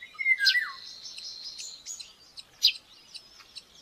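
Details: Baby common buzzard at a live-camera nest in Tiszalök, Hungary, on May 5, 2024, at breakfast feeding. It gives a single sliding, descending squeal, followed by a thin, steady high whistle and sharp chirps from small birds.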